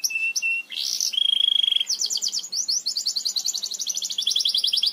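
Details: Song of a Belgian canary, used for training young canaries to sing: a brief whistle and harsh burst, then a fast pure trill followed by a long, pulsing rattle of rapid repeated notes.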